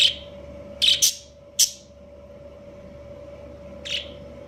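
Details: Breeding pair of budgerigars (Australian parakeets): a quick cluster of piercing chirps in the first two seconds, then one softer chirp, a constant low hum beneath.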